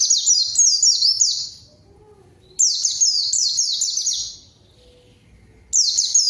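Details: White-eye singing in bursts, used to lure and draw an answer from a rival: high, rapid series of descending slurred whistles, each burst about 1.5 seconds, separated by pauses of about a second, very little background noise.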